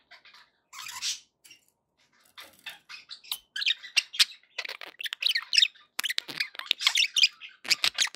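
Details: Budgerigars kept as pets making happy sounds: a few soft chirps, then steadily busier warbling chatter of squeaks, clicks and short squawks.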